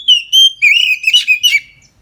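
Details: Oriental magpie-robin in full 'ngeplong' song at midday, used to prompt other magpie-robins to sing: a quick string of about six loud, clear whistled notes, some slurred and falling, on a quiet background.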